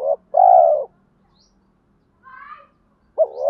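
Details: Caged spotted dove used as a lure bird, in the 'giọng thổ sấm' voice style with fight-provoking calls to draw wild doves in quickly; low hoarse coos, a short note then a longer drawn coo, with faint higher chirps from another bird.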